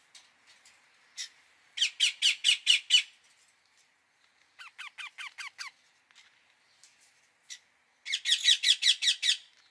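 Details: Indian ringneck parakeet in three bouts of fast, grating squawks, the middle bout made of thinner, down-slurred notes, with scattered faint chirps between.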